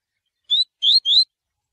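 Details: Coleiro singing the tui tui style meant for training young birds: three clear rising whistles, one short then two longer, evenly spaced across about a second, with no other sounds.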